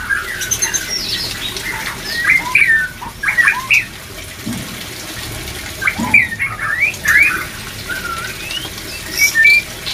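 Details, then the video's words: Song of white-rumped shamas used to stir breeding readiness: bursts of sharp whistles and upslurred notes in clusters separated by quieter gaps, over a faint hissing background. "POOLL CEPAT BIRAHI‼️BANYAK MURAI BATU CEPAT PRODUKSI‼️DENGAN TERAPI MENAIKAN BIRAHI MURAI BATU INI"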